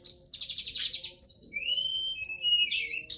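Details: Forktail, shown dancing, sings a high-pitched varied song: bursts of rapid buzzy notes, then thin whistled slurs and sharp chirps, all bright and high, with a faint low hum behind.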